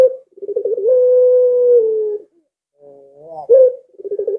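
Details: Collared dove (puter) giving its drawn-out 'lengkungan' coo, said to make other doves eager to call: rolling, wavering coos leading into a long level note, a pause, then a bending note and more rolling coos.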